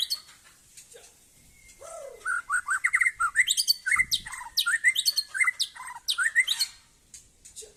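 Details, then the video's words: Competition white-rumped shama in full song: a long rapid run of clear whistled and chirping notes with quick slurs and trills, preceded by a low rising whistle and a brief pause, ending quietly. "Murai Aceh - SMBF # Aksi Sang Juara"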